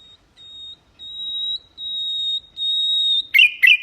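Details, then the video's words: Common nightingale song used for training goldfinches and canaries to sing: a series of long, pure, level whistles that swell in loudness, ending in two short buzzy notes. "تغريد طائر العندليب الحسنية لتعليم طيور الحسون والكناري بدون أخطاء"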